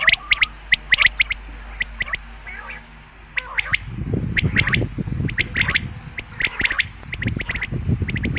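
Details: Common quail calling, a sound for hunting: crisp clipped notes in quick twos and threes, repeated over and over, while rumbling low noise, like handling or wind, builds up in the second half.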